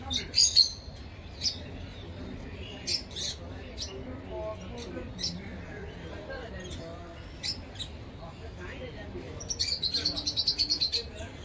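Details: A pair of yellow African lovebirds chirping: sharp, high, scattered chirps, then a fast run of rapid repeated chirps near the end, over a low steady background hum.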